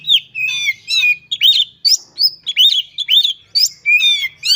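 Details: Loud, continuous song of a caged white-rumped shama laying out its varied repertoire: dense, lively chains of whistled, slurred and chirping notes with only brief gaps between phrases.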